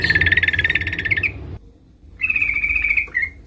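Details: Ngeriwik rapat calling by a female sooty-headed bulbul seeking a male: a fast pulsing trill lasting over a second, a half-second silence, then a smoother level trill ending in a brief dip.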